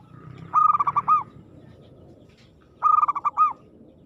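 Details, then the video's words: Zebra dove (perkutut) in aggressive song: two loud bubbling phrases of quick pulsed coos ending in a longer note, separated by about two seconds of quiet. "suara perkutut gacor agresif mental baja"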